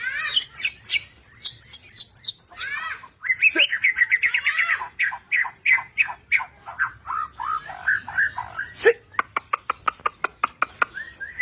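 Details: Vigorous white-rumped shama song of rich, varied phrases: repeated high whistled notes, a tumbling chattering run of descending slurs, then a fast volley of sharp staccato notes.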